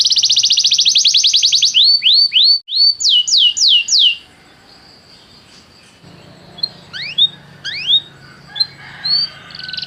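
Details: Canary song for training a canary to sing: a fast trill, then a series of rising whistled swoops, a quiet gap, and scattered short rising notes.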